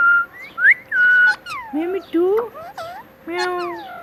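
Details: Tame talking parrot saying "Mitthu Mitthu"; a loud steady whistle, then a run of harsh, word-like syllables with strong overtones and falling slides, ending in a drawn-out voiced note.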